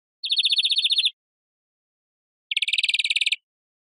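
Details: Greenfinch, European, giving two dry rattling trills of about a second each, separated by a short pause, with nothing else audible.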